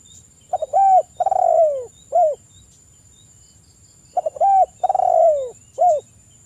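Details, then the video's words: Tekukur, the spotted dove, in 'kuk 1' manggung song aimed at a rival while local males answer; a phrase repeats about every 3.5 seconds: stutter clicks, a bowed coo, a drawn-out descending coo and a short tail coo, with a faint steady whine. "Suara Tekukur kuk 1 manggung gacor manggil lawan, TEKUKUR LOKAL Jantan pada nyaut"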